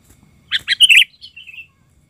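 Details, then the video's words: One short outburst from a frenzied sooty-headed bulbul lure bird: three quick harsh chirps followed by a softer, descending gurgling trill lasting about a second. "ketika pikat burung kutilang ngamuk"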